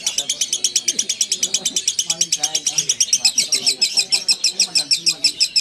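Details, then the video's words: Lovebird giving a long ngekek chattering song: rapid, shrill, even pulses about six per second run without a break through the whole stretch, with faint low murmurs beneath. "Love bird ngekek panjang (durasi)"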